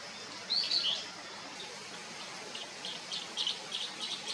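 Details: Bull-headed Shrike giving a loud, scratchy call of a few notes, followed by a quieter series of short, clipped notes repeated at irregular intervals.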